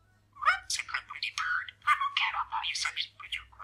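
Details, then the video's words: A male pet parakeet chatters in quick, raspy, speech-like mumbles, practising sayings: several short bursts of imitated words running together for about three seconds, with no other sounds. "Parakeet Chats and Mumbles"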